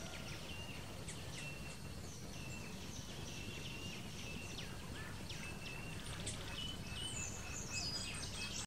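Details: Blue-gray tanager (Thraupis episcopus), begging calls: chicks begging for food while being fed.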